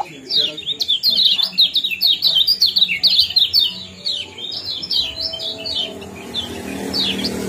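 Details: Kecial kuning 'ciak' and 'jos' chirping for prompting breeding condition. A fast series of sharp, bright, down-slurred chirps runs for about four seconds, then thins to scattered notes over a rising low rumble.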